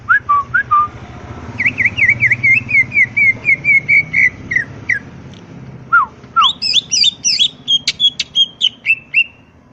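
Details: Greater green leafbird singing energetically over a steady low hum: slurred whistles, a long rapid run of repeated chirping notes, then high twisting warbled phrases.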